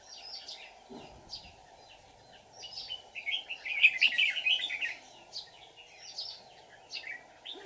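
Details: Red-whiskered bulbul of the white-cheeked form, used as a decoy in a fighting song to lure wild bulbuls into a trap on 24 July 2019: bright warbled phrases, bursts clustered mid-clip, over a steady low hum.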